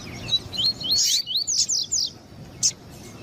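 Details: Double-collared seedeater, male song and female calling to excite males. A short jumbled burst of high slurred whistles and scratchy notes lasts about two seconds, followed by a single sharp note.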